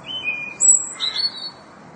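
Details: Korean bush warbler singing a clear, drawn-out whistle that then leaps to a very high note and ends in a quick, bright flourish, all within two seconds against a quiet background.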